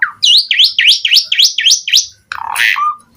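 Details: Asian pied starling singing energetically with varied fill-in phrases while pumping: six repeated bright V-shaped whistled notes at a quick steady pace, then a harsh, noisy rasping burst and a short low whistle.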